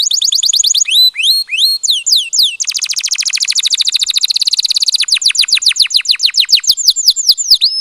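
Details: Canary song used to encourage mating during the breeding season, with rising whistled notes, then a long rapid high trill and a run of clear falling sweeps, all high-pitched and clean.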